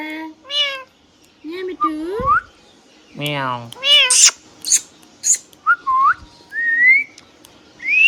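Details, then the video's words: Hand-tame pet rose-ringed parakeet talking, mimicking a meow and repeating words in rich harmonic, speech-like phrases, mixed with sharp high clicks and rising whistled notes. "Green Parrot Natural Sound | Hand tame Parrot Talking video | Mithu Tote Ki Awaaz | Talking Parrot"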